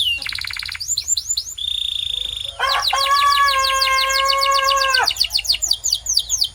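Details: Canary song meant to make other canaries sing: quick high trills, a steady pure whistled tone, then a long, rich, buzzy rolling note under rapid repeated chips, ending in scattered sharp notes.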